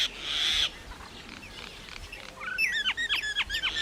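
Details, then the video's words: Myna giving a harsh hissing squawk, a quiet pause, then a quick volley of sharp, downward-slurred whistled chirps. "maina sound Effects"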